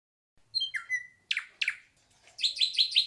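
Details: Ashy drongo song: thin high notes lead into a slurred whistle that levels off, then two sharp harsh notes, ending in a rapid series of four rich chirping notes; no other sounds.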